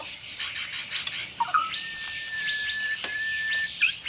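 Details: White-rumped shama singing a 'tembakan' combination with a sharp, tight-roll style: buzzy chattering bursts and a brief twisting phrase give way to a long, steady, level whistle held for about two seconds, ending in a quick rising flourish.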